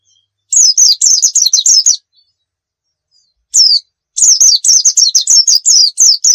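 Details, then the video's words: White-eye singing 'nembak' style on a tutor track meant to lure birds into answering: quick volleys of high falling notes, a short run, a lone note, then a long rapid string, clean background. "Masteran pleci nembak"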